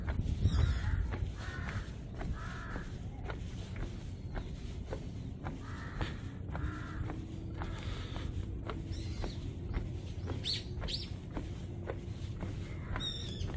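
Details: Territorial crows along a Bongnaesan deck road, Yeongdo, northern slope, reacting to walkers intruding; bursts of rough caws early and midway, separated by footstep clicks, with a few brief high chirps from small birds near the end.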